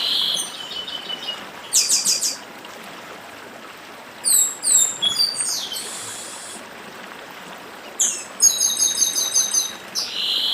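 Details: Chestnut-bellied seed finch of northeastern Brazil singing near a brook: alternating whistled slurs and rapid repeated bright notes in several bursts over ten seconds, set against a steady background of flowing water.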